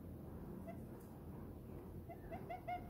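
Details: Diamond dove settled happily in its owner's hand. After near-quiet, a few short soft coos rise at the end in a quick series, over a faint low background hum.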